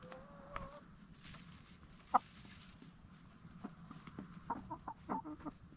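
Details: Black Star and Bielefelder hens in their chicken tractor at nightfall, after free-ranging during the day; a low drawn-out note opens, then a sharp single cluck and a quick run of clucks near the end, against steady background noise.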